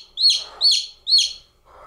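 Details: Baby domestic chick alone, chirping three shrill peeps in quick succession. Each note rises sharply and then drops away, with a quiet pause at the end.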